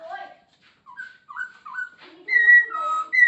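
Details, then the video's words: Masked laughingthrush singing a varied song with mimicked phrases: separate short whistled and slurred notes at changing pitches, then louder, longer whistles and buzzy lower notes toward the end. "Poksay Hongkong gacor full isian"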